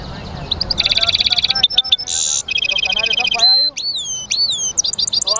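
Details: Hybrid European goldfinch song: a quick run of repeated high notes, a harsh buzzy burst, more trilling, then clear whistled slurs sweeping downward and ending in sharp chirps.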